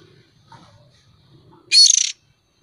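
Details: Young oriental magpie-robin used as a lure, giving one loud, harsh, rasping screech with a fast stuttering pulse, lasting under half a second after a quiet start.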